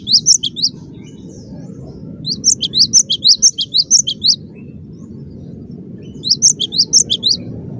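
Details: Cinereous tit singing loudly and persistently: bursts of sharp, high, repeated chirping notes in quick runs of about six to eight notes, with pauses between bursts, over a low steady background hum.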